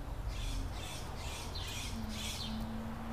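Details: Nest of a California scrub jay pair raising three chicks in 2017: harsh, broad, squawky bursts repeated several times in quick succession, plus low steady rumble and a faint hum.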